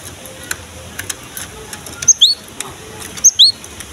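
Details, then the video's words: Cinereous tit singing, recorded to draw and stimulate young birds of the same kind: two brief paired high whistled phrases about a second apart after a near-silent start. "KICAUAN BURUNG GELATIK BATU GACOR"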